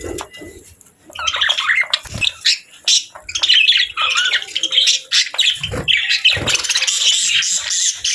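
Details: Budgerigar kept as a pet, giving busy rising and falling warbled chatter mixed with sharp squawks and squeaky notes, with a few dull low knocks between phrases.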